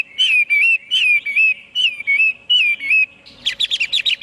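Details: Chinese hwamei song of looping whistled phrases, each rising then falling, repeated about every half second, shifting at the end to a rapid burst of harsher chattering notes.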